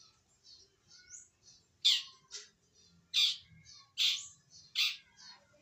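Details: Young wild-caught long-tailed shrike starting to sing: quiet twittering notes broken by four loud harsh high squawks spaced about one second apart.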